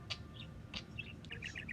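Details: A talkative male pet budgerigar warbles in quick chirps and scratchy bursts while his owner talks to him, with a low household hum beneath; he has been chasing a baby budgie.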